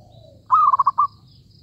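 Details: One clear zebra dove phrase from a trapping session: a slurred rising note breaking into a short series of bubbling, evenly spaced coos.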